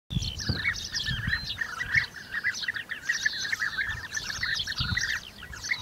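Several European bee-eaters call together, a steady chorus of short, rolling, liquid 'prruip' notes overlapping without pause, with low rumbles of wind in the background.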